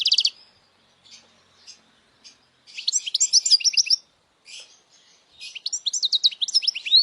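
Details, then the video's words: Goldfinch song played for young goldfinches to memorize, bursts of rapid liquid twittering and chirps, separated by short pauses, with scattered soft single notes between phrases. "Jilguero cantando fuerte para memorización los jilgueros /Goldfinch singing the best chirping sounds"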